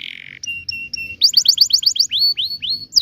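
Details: Canary 'ngerol' song for tutoring young birds. A brief buzz, three level piping notes, then a quick burst of bright high chips and several rising-then-falling whistles.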